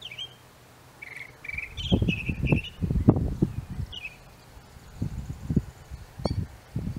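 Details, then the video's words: Northern mockingbird singing in an apple tree: short varied phrases of whistled and slightly buzzy notes follow one another quickly, over heavy low thumping and rumbling noise. "Mockingbird song"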